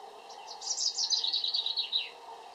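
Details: A European robin pours out one rapid, high, liquid warble, a jumble of twittering notes that ends in a short downward slide.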